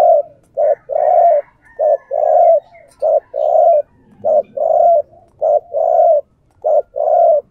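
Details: A decoy spotted dove calls steadily to attract other doves. Paired notes repeat about every 1.2 seconds, each a short coo and then a longer, throaty, level one, loud and regular, with faint chirping behind.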